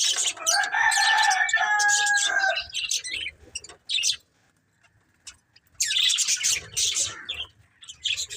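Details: Breeding pair of budgerigars: one gives a run of clearer, whistled, tonal notes within rapid chatter. A quiet pause follows, then another burst of scratchy high chirps.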